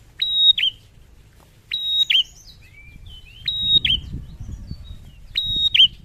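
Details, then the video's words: Male bar-winged prinia singing actively: high, thin, sharply clipped double notes repeated roughly every one and a half seconds, with faint softer chirps between and low background rumble. "Prenjak Gacor"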